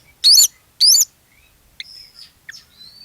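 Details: Magpie-robin song played as a lure to set other magpie-robins singing: two loud, harsh, rich high notes, then softer thin whistles and a rising slurred note.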